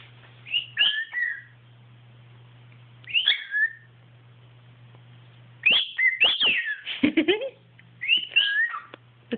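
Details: Beacon, a pet cockatiel, sings along with a boy, whistling short, bright phrases of rising and falling slurs with pauses between bursts as he finishes the boy's tunes in his own style.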